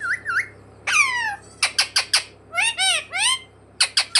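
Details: Pet talking parrot, taught to say "mummy papa", gives a run of harsh, nasal, speech-like squawks with bending tones, followed by short clipped bursts in quick succession, recorded indoors.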